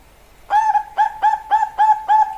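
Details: Song of a Bangkok-type zebra dove (perkutut): a rhythmic run of short, clear, mid-pitched coos, each slightly bent upward at the start, repeated about twice per second with brief gaps between.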